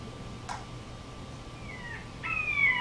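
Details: Red-shouldered Hawk call, as given by birds returning to nesting territories in spring: two loud, clear, downslurred screaming notes, the second cut short, after a single soft knock.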